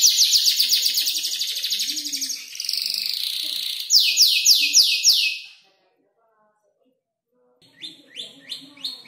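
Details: Five-month-old canary practising mimicked phrases from other birds: dense rapid trill, a buzzy rolling section, a few loud downslurred notes, a pause of silence, then softer repeated chips.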